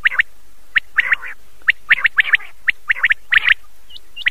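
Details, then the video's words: Common quail at night, taken from an old cassette: crisp, clipped notes delivered in quick two- or three-note bursts, each burst separated by short pauses, with a faint higher chirp near the end. "بٹیر رات والی والیم پورانہ کیسٹ"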